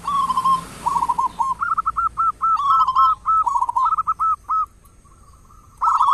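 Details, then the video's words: Local zebra dove singing loudly to lure other doves into song; a long run of quick, even, hooting coo notes that rises slightly and then stops, with a fresh burst at the end. "perkutut lokal gacor suara besar buat pancingan diPAGI dan sore"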